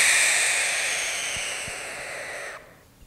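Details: Barn Owl gives one long, harsh, breathy sustained defensive hiss lasting about two and a half seconds, steady then slowly fading before cutting off into quiet.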